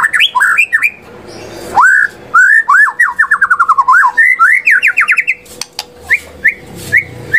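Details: White-rumped shama singing as a lure to provoke other shamas: a varied run of rich, fluty whistles, slurred upward and downward, some in rapid buzzy sequences, ending with scattered short whistles and faint clicks.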